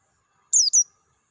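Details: A wild Dakun-type Oriental white-eye in nature gives a single clear pair of very high, thin whistled notes, each sliding steeply down in pitch.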